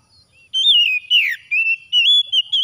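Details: Oriental magpie-robin singing after dawn: loud clear whistled phrases, some sliding down and others held level, in separate bursts about half a second long.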